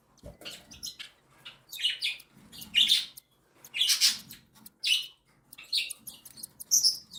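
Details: Mother cockatiel feeding her three chicks, aged one and seven days, in captivity; rapid, insistent raspy high chirps come in pulsing bursts about once a second, hoarse and shrill, with light background rustle.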